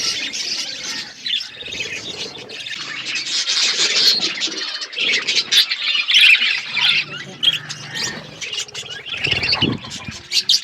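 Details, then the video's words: Budgerigars, a flock in an aviary, eating food; dense, continuous warbling chatter of many birds with squawky notes, rising in loudness midway, plus low thumps and rustling near the end. "Beautiful budgies flocks birds eating food"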